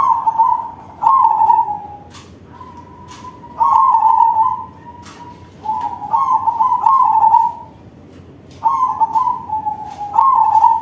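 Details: Zebra dove of crossing breed with a big voice: repeated low cooing phrases, loud trilled notes alternating with smooth sustained ones, about five phrases with quiet spells between, faint clicks in the background.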